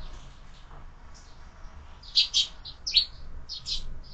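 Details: Sparrows at a window-mounted feeder during lunch, giving short bright chirps in a loose cluster of about eight notes over two seconds, after a quiet start with faint low background hum.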